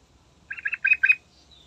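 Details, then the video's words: Morning song of a yellow-vented bulbul serving as a lure for other birds: a quick phrase of four gurgling notes, followed by a faint thin whistle. "Trucukan Andalan Gacor Istimewa Pagi Hari Manjur Buat Pancingan"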